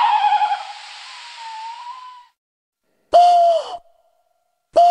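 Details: A tawny owl hoots: a long wavering note fades out, then after silence come two abrupt, loud, steady hoot notes.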